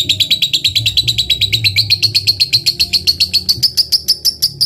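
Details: Lovebird, a caged fighter bird singing to provoke a rival, producing one long unbroken chattering trill of sharp metallic notes repeated about six per second, slowly rising in pitch throughout; low room hum behind.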